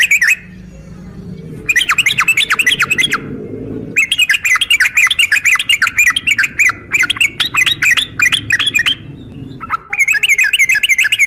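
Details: Calling female yellow-vented bulbul trying to draw a male: several long runs of quick, sharp, chattering notes follow one another, over a faint low hum in the background.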